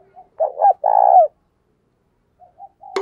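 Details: Spotted dove used as a decoy, calling to draw in wild doves. A short throaty burst runs into a long burred hoot that falls at the close, followed by silence, soft notes and a sharp click at the end.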